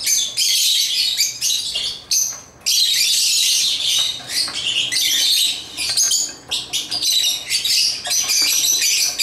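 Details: African lovebirds at play with toys, calling in choppy bursts of shrill chirps and squawks, sharp onsets and brief gaps between loud, high-pitched chattering phrases.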